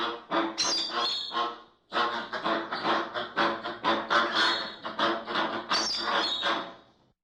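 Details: American flamingo flock calling: dense, continuous gabbling honks and squawks, many birds overlapping, loudness pulsing roughly every half second with a short break near the two-second mark.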